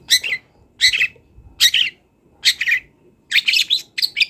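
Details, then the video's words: Long-tailed shrike song from a wild bird for songbird training: harsh, buzzy chattering phrases about every three-quarters of a second, ending in a quicker cluster of scratchy notes. "CENDET GACOR BONGKAR ISIAN | MASATERAN CENDET BURUNG LIAR"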